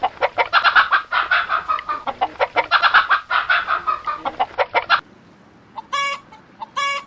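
A hen clucks in a fast run of short, throaty notes for five seconds. Two brief, nasal, harmonic calls follow at the end.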